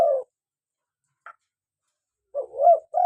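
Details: Vigorous local spotted dove used to lure doves and make captive ones call: the tail of a low coo, a faint tick, then a hooked rising note and the start of another coo.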